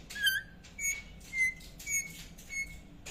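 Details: Indian ringneck parakeet giving short, thin chirps repeated about every half second, six in a row, against steady background hiss.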